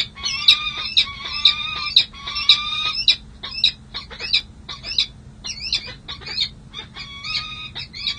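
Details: During a long pair-bonding session at San Jose City Hall, 16 July 2024, two peregrine falcons trade rapid chattering calls. Harsh clipped notes come about twice a second, mixed with short squeals and ticks, and loudness varies throughout.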